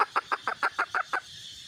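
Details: Hen calling: a quick run of eight short, harsh clucks, about six per second, evenly spaced and then stopping abruptly, with a quiet hum behind.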